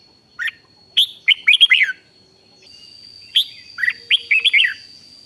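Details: Red-whiskered bulbul in 'rik' singing to stir up other bulbuls: two phrases, each a single sharp note followed by a fast run of bubbly, descending chirps, with a steady high-pitched hum in the background.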